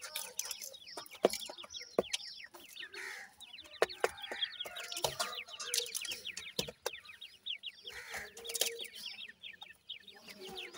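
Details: Francolin chicks, a group calling together: dense overlapping high peeps, each a short downward-slurred note, pouring out continuously with sharp clicks and taps scattered through.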